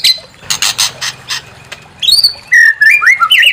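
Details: White-rumped shama song used to stir another bird into singing: it opens with sharp repeated clicking notes, then shifts to clear whistled phrases that slide and step between higher and lower pitches.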